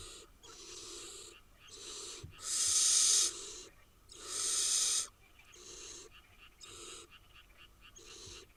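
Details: Harsh snoring hisses come from a brood of eight wild barn owl nestlings in Israel. Over eight seconds, short and long rasping bursts follow one another, with two loud, long ones near the middle.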